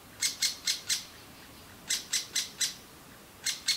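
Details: Young great spotted woodpeckers begging loudly for food in a nest hole in a large old aspen while both parents feed them; short harsh high chirps in bursts of four, separated by brief pauses.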